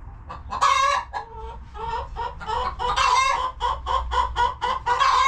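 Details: Chickens relaxing in their coop on a homestead farm, giving a rapid run of short harmonic clucks broken by several louder, nasal squawking calls, with a low background rumble throughout.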